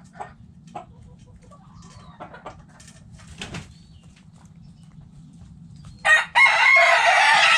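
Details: Backyard coop chickens: sparse soft clucks and rustling at first, then a rooster bursts into a loud, rough crow that runs to the end.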